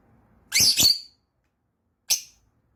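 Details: Yellow lovebird chirping indoors: a sharp high double chirp, then a single short high chirp after a pause of about a second. The room is otherwise quiet.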